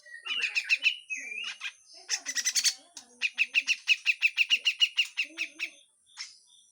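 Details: Grey-cheeked bulbul in harsh full song, loud rattling trains of rough notes broken by a dense buzzy burst, then a long series of evenly spaced harsh pulses fading out.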